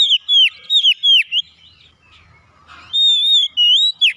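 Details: Oriental magpie-robin song used to coax caged birds into singing. Fast descending whistles repeat about three times a second. A quiet pause with a faint rasp follows, then long level and wavering whistles resume.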